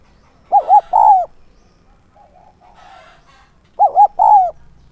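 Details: Spotted dove decoy, 'son' voice, repeating its call to bring in wild doves: a pair of low phrases about three seconds apart, each two quick coos then a longer downslurred coo, with faint twittering from other birds in the gap.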